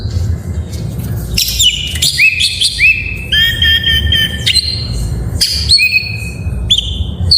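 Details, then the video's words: Singing Oriental magpie-robin, its full varied song intended to set lazy captive birds singing: sharp chips followed by a series of sustained rising whistles, then higher clear notes, over a low background rumble. "Suara masteran burung Kacer || pancingan KACER full isian"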